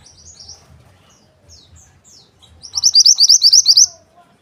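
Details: Mountain white-eye whose calls serve to draw in males: a few faint high thin notes, then a loud rapid burst of about a dozen sharp high chirps in quick succession near the end.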